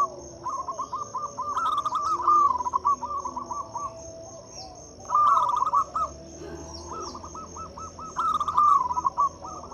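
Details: Local zebra doves in full song, used to coax mute doves into singing: repeated phrases of quick, bubbling coos at a steady mid pitch. Some phrases overlap, suggesting several birds, and a constant thin high whine runs underneath.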